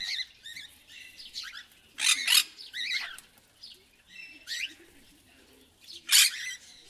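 Macaws chatter in quick, high, twisting chirps, broken by three harsh, raspy squawks about two seconds apart.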